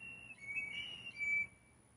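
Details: Mating whistles of blue jays, several birds vying for one female; a continuous flute-like tone wavers and steps between two close pitches for about one and a half seconds, then fades.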